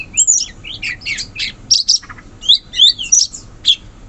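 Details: Sooty-headed bulbul, wild in the forest, giving a rapid run of high chirping and twittering notes. Quick bright bursts crowd together with short gaps, and the background is quiet.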